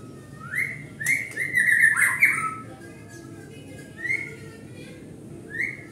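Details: White-rumped shama provoking song: a few whistled rising phrases with a burst of chatter and sharp clicks, then spaced single whistles against quiet low noise.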